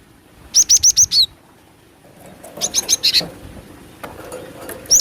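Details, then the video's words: Lure call of a female cinereous tit: a fast run of five sharp high chips ending in a short downslurred note, a softer second burst of chips, then a single chip at the close. "Suara pikat burung glatik batu dengan suara betina"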